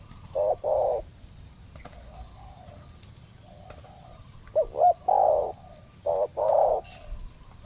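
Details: Wild spotted doves (tekukur), arriving in pairs while being lured during apparent mating season; paired low hollow coos at the start and again near the end, with faint softer coos and a few clicks between.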